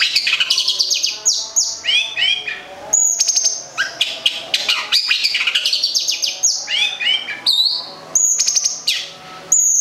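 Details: Long-tailed shrike of local Gedong Songo stock, Central Java, a kept songbird, delivering a rich jumble of high chirps, downslurred whistles and sharp buzzy bursts, phrases separated by brief gaps.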